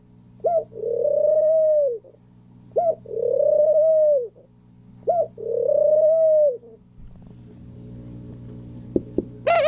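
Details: Pigeon repeating a short sharp note followed by a long, even, hollow coo, three times at roughly two-second intervals, then quiet with a low electrical hum and a couple of clicks.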